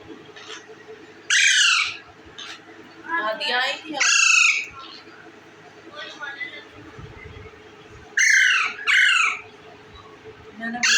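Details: Indian ringneck parakeet eating bread, giving loud harsh rasping squawks in short bursts, some paired, separated by quieter pauses, with background music.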